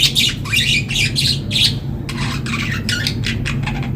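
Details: Happy budgerigars chirp in quick, scratchy bursts over a steady low indoor hum.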